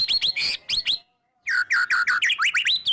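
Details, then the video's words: Loud, clear song of a white-rumped shama, used to prompt other shamas to sing: rich, swooping whistles and chattering notes, a one-second pause, then a fast sequence of rising and falling whistled phrases. "murai batu gacor EMOSI NGEPLONG full isian TEMBAKAN jitu jadikan pancingan murai batu agar bunyi"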